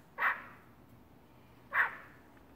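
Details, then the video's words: Pet starling, usually noisy, barking after falling quiet at the camera: two short, harsh, dog-like bark notes about one and a half seconds apart in a quiet room. "Étoile barks."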